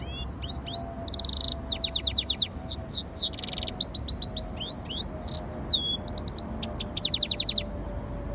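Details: Hybrid of yellow-fronted canary and canary singing a varied, rapid song of high sweeping whistles, buzzy trills and repeated chirp series, phrases changing every second or so over a low steady hum.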